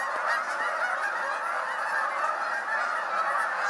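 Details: Sudden mass takeoff of hundreds of Canada geese at Appleton Farms on 24 January 2016; a short burst of thick, overlapping honking from the whole flock, steady in loudness.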